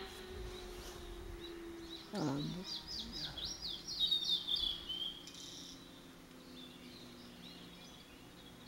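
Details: Male blue-and-white flycatcher singing actively: a clear, high whistled phrase of quick slurred notes lasting about three seconds, ending in a sustained whistle, over steady background noise.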